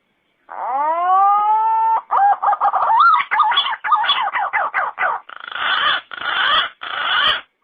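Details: Green pigeon calling: a long, steady, slightly rising whistled note, then a rapid run of wavering, warbled notes, ending in four harsh, hissing bursts.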